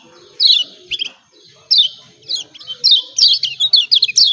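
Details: Kecial kuning, the yellow white-eye of Lombok, in 'ciak ciak' lure calls for birds that will not sing: scattered high chirps at first, then a fast jumbled burst of downslurred notes.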